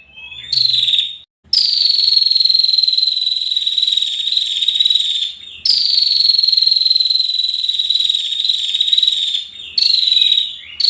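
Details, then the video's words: Female bar-winged prinia giving long, high, buzzy trills that fall slightly in pitch, each held for about four seconds and separated by short pauses. "suara burung prenjak betina"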